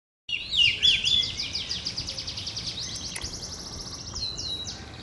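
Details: Oriental magpie-robin, a kept songbird singing strongly while pumping its tail, sings bright, high whistled phrases that run into a fast, steady chatter of about four notes a second. Faint background hiss throughout.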